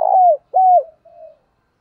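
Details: Two loud, low, steady coos from a spotted dove decoy calling wild doves in the morning, the second slightly falling at its end, followed by a soft fading hum-like note.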